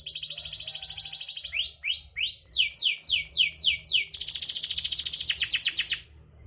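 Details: Canary song used as a lure for canaries that are not singing: a fast high trill followed by slower, sweeping downslurred phrases, then another rapid buzzing trill before it breaks off.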